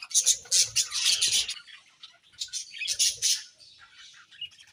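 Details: Budgies chirp while eating: two loud bursts of sharp, squeaky chatter are separated by a brief lull, then softer chirps trail off.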